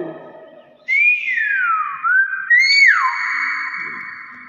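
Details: Common hill myna imitating speech, said to say "bakpao": two loud whistled phrases, the first sweeping up then down, the second rising sharply and then plunging, with a man's voice nearby.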